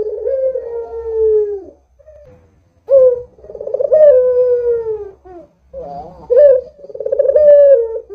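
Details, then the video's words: Barbary dove coos meant as a lure to set other doves calling: a long falling purr opens, then after a pause come accented notes followed by vibrating, drawn-out coos, over a steady low background hum. "Suara Burung PUTER Gacor ini Paling Ampuh Untuk PANCINGAN Puter Agar BUNYI"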